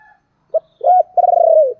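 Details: Calling coo of a decoy spotted dove meant to attract wild doves: one clipped low note, a swelling coo, then a long trilled, pulsing coo that drops slightly at its end, in a clean quiet setting.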